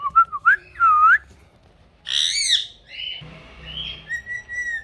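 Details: Pet rose-ringed parakeet vocalizing. Clear looping whistles open, then a harsh grating squawk, then softer flat whistled tones close out, with faint low background hum.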